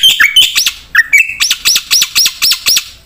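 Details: Javan pied starling singing vigorously with a full repertoire, used as a lure and tutor recording: a few sliding whistles and a flat whistled note, then a fast run of loud, ringing, up-and-down looping whistles, about four each second.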